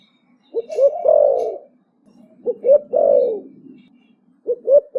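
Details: Fast 'thổ bầu' style coo of a young spotted dove, with phrases every two seconds, each made of two quick clipped notes followed by a drawn-out falling coo, over a soft low background hum.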